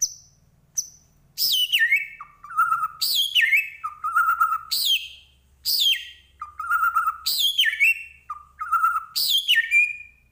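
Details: Medan-type white-rumped shama in full, vigorous song rich in imitated phrases: loud descending whistled sweeps from high to low, each ending in a lower held note, repeated about every two seconds.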